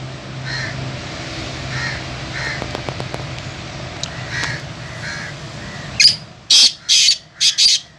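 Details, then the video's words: Black francolin (kala teetar, Sindhi pheasant), a bird offered for sale and said to call all day; a noisy background with faint tonal notes, then four loud, harsh, grating bursts packed into the last two seconds. "Sindhi pheasant || kala teetar : sara din ka bular"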